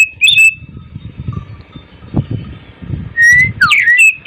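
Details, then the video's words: Oriental magpie-robin in the morning giving a few loud whistled notes at the start, then a long quiet gap filled with low knocking and rumbling noise, before a closing run of rising and falling whistles. "TERAPI BURUNG KACER GACOR DI PAGI HARI"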